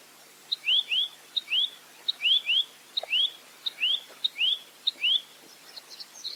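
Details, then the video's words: Clear tutor recording of a velvet-fronted nuthatch in 'full roll tembak' style: a tick note, then one or two upward-sweeping whistles, the pattern repeating about every half second before fading into soft twitters. "Masteran Burung Rambatan Mandarin Jernih Full Roll Tembak"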